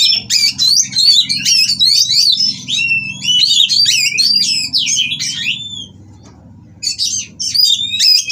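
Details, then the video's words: Mating white-rumped shama in captivity, singing to stir rival birds; fast tumbling run of sharp chirps, slurred whistles and rattles for about six seconds, a short pause, then more bursts, over a steady low hum. "Burung Kacer Kawin Merangsang Lawan Untuk Bunyi dan Lebih Gacor"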